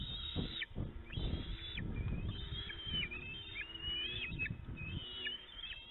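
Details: Juvenile bald eagles squabbling over a food delivery at their Illinois nest on a late June 2019 afternoon; loud, high, drawn-out squealing whistles that drop sharply at the end, one after another, with rustling and thuds below.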